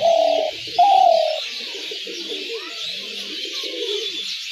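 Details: Spotted dove call used to draw doves into traps: two long, low, rolling coos right at the start, the second a little higher and falling, then faint mixed sounds and steady hiss.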